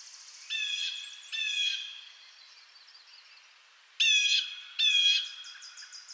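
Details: Two pairs of loud, grating blue jay calls, each note a short harsh burst with stacked overtones, separated by a few seconds of soft high chatter from other birds in the background.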